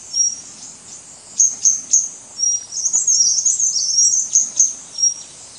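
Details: High, thin whistles and crisp ticks from a White-gorgeted Flycatcher (leucops) at Doi Ang Khang, Thailand, 24 March 2017, with a brief jumbled twittering passage midway over steady hiss.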